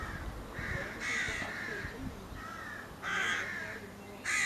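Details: Crows in May 2022 giving harsh, grating caws, some loud and close, others softer and further off, spaced about a second apart.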